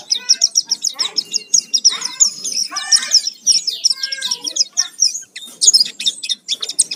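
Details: Oriental white-eye (pleci) in full lively song, used as a lure to provoke singing: dense, rapid high twittering and chattering phrases with quick downslurred notes, nearly continuous, a few lower notes beneath.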